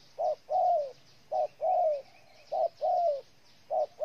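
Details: Spotted dove in Ninh Thuận, Vietnam, repeating a two-part coo, a brief note then a long downslurred one, three times in a row, with a faint wavering insect trill in the background.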